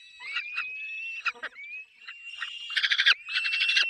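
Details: Peregrine falcon nest with chicks: thin, slightly rising whining notes drawn out over a second or more, broken by rasping notes, then a loud run of rapid harsh pulsed calls near the end.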